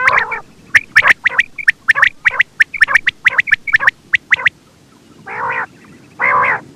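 A quail gives a fast run of sharp, clicking notes, about four a second, then two harsh, rasping churrs.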